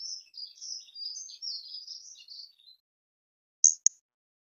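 A European robin sings a thin, high, wandering warble of quick liquid phrases for nearly three seconds, then a pause and two sharp, high notes.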